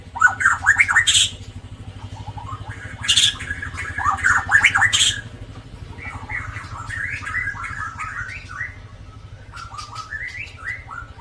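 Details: White-rumped shama with a drooping tail in full song from Indonesia, used as a lure to prompt birds that rarely sing: loud bursts of rich, varied slurred whistles and harsh notes, then softer rising phrases over a steady low hum.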